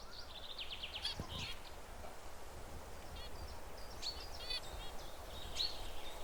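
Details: Perched Zebra finches communicating with each other: short, nasal, toy-trumpet beeps in quick clusters of two to six notes, scattered through the clip over a steady low rumble of background noise.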